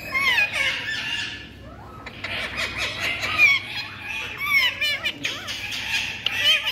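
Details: A ringneck parakeet babbles in speech-like phrases, with raspy voiced syllables, quick squeaky inflections and a brief lull midway before the chatter resumes.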